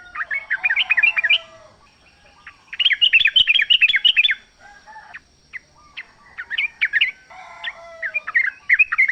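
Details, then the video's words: Wild yellow-vented bulbul from the forest, its song meant to draw caged birds into answering: dense bursts of chattering, bubbly notes in three bouts separated by short quiet spells. "trucuk gacor ngalas full suara alam"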